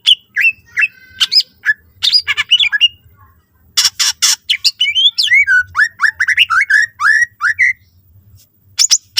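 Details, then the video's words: Greater green leafbird in busy varied song used to draw other leafbirds into singing: sharp chips, harsh rasping bursts, then a series of looping whistled slurs repeated rapidly, with faint low rumble beneath. "cucak ijo gacor full isian mewah sangat ampuh pancing c ijo lain agar ikutan rajin bunyi"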